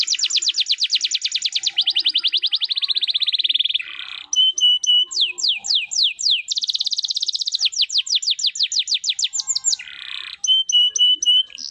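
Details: Canary in 'cengkok mewah' song: long, fast, high trills that change speed and pitch, with steep falling sweeps, a short rough burr, and clipped whistled notes, nearly continuous throughout.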